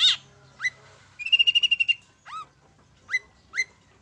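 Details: Long-tailed shrike in 'main satu titik' style, a lure to make birds sing: isolated rising whistled upslurs separated by pauses, with one quick rattling series of about nine even notes in the middle.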